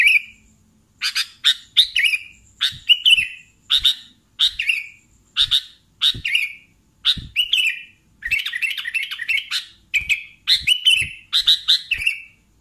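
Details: Sooty-headed bulbul in full song: short bubbly chirping phrases repeated roughly every second, with a denser chattering stretch midway, clear against a quiet background.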